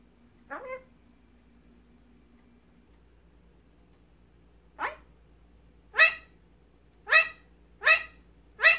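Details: Hand-raised magpie, rescued as a baby, imprinted on its owners and learning to talk: one soft rising call, then after a pause a run of five harsh, raspy bursts, each sharper and louder, roughly one per second.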